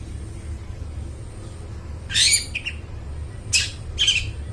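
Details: Long-tailed shrike in full, clear-voiced song, used as a lure to get mute shrikes singing: three short bursts of harsh, scratchy, high chattering notes separated by pauses, over a steady low hum.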